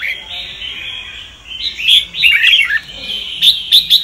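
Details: Red-whiskered bulbul, Sông Kon type, singing for voice training. A faint sustained high tone leads into a lively tangle of bright slurred whistles and twittering, ending with clipped high notes.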